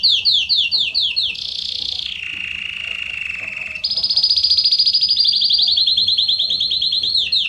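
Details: Belgian canary in song for warming up other canaries: quick descending high notes, a buzzy rolling trill that drops lower in pitch, then a long bright rapid trill that carries to the end.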